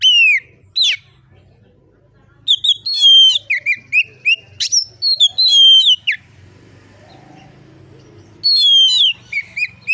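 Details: Kept oriental magpie-robin singing loud and relaxed, used to prompt other magpie-robins to sing: bursts of pure whistles mixed with sharp upswept notes and rapid chips, separated by pauses with faint low background hum.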